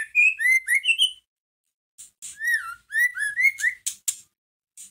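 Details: Energetic white-rumped shama song to stimulate another shama: rapid chains of rolling, fluty whistles and high ticking notes, then rasping bursts, in phrases of about a second.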